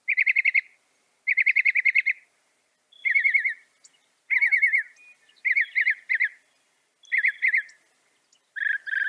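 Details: Northern mockingbird song from North America: bursts of rapid rattling notes repeated in series, each burst shifting slightly in pattern, with short pauses between and a lower slurred phrase at the end.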